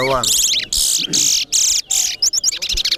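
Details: Competition song of a large-billed seed finch (towa towa) in Corriverton, Guyana: long, very high, harsh buzzy trills separated by short gaps, ending in a string of quick chipped notes, with faint voices underneath.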